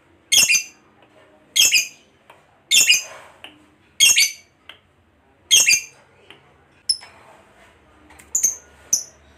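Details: Lovebird, fighter type, singing as a lure for other lovebirds to chatter; five loud, harsh squawks at roughly one-second intervals, followed by faint, high, thin chirps.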